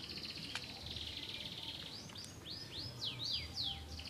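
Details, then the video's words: Domestic canary song: sharp downward-sweeping high whistled notes repeated in quick succession, rising in loudness toward the end over a steady low background hiss. "o canário cantando"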